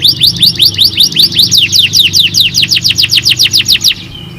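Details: Canary song used to stimulate other canaries to sing: a steady series of about twenty fast, high, sweeping notes at roughly five per second, then stopping with a short faint trill at the end.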